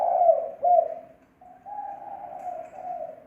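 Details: Lure call of a spotted dove, noise-free: two loud hollow coos open the sequence, followed by a brief pause and then a long, softer, level cooing note.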